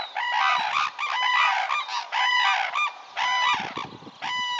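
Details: Red-crowned cranes calling at Tsurui in Hokkaido, Japan: powerful, brassy trumpeting in bursts of rapid notes, separated by short pauses roughly once a second, with several voices overlapping.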